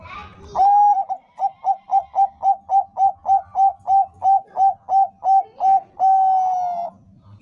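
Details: Bangkok-type zebra dove song, used as a lure to get other zebra doves singing: one long steady coo, about fifteen short clipped cooing notes in quick even rhythm, then another drawn-out coo. A brief high chirp sounds at the start.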